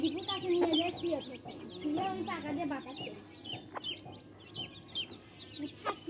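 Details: Hen with baby chicks: low throaty clucks and murmurs at first, then scattered high, falling chick peeps at irregular intervals.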